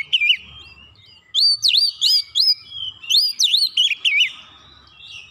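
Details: Kacer (Oriental magpie-robin) training song in the 'nembak rapat' style: an opening whistle, then two close-packed bursts of swooping, ringing whistles, each lasting about a second and a half.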